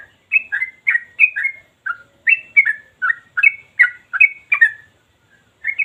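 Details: Yellow-vented bulbul (Pycnonotus goiavier) singing nonstop in long, sharp, deep phrases: bubbly, gurgling two-note phrases, about two or three each second, in a fast, almost continuous run with only brief pauses.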